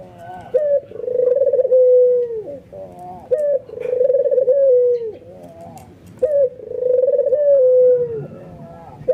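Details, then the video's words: Excited albino white ringneck dove bobbing its head as it coos, which sets other doves off. Three long, steady, rolling coos, each starting with a short clipped note and dropping in pitch at the close. "SUARA BURUNG PUTER PUTIH ALBINO FULL NGANGGUK EMOSI BIKIN PUTER LAIN TERPANCING IKUTAN GACOR"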